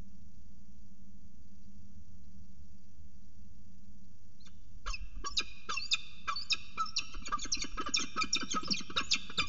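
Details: Peregrine falcon male bringing a food gift to the female at CSU Orange, 19 July 2019: after four seconds of low steady hum, a rapid run of harsh, loud, chattering notes starts and speeds up, repeating several times a second.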